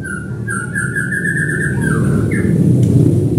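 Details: White-rumped shama song used to provoke singing: a long run of clear repeated whistled notes, then a falling slur and a brief rising whistle, partly masked by loud low rumbling noise.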